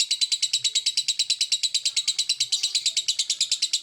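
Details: Lovebird giving its 'ngekek' chatter, a fast, even stream of harsh high chips at about three per second, steady and unbroken throughout, with only faint low room sounds beneath.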